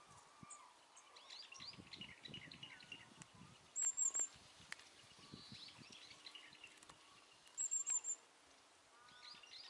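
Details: Hokkaido long-tailed tit in Meiji Park, Nemuro, on 30 April 2020, giving two bursts of very high, thin, rapid "chi-chi-chi" notes about four seconds apart, with faint chirps of other birds in the background.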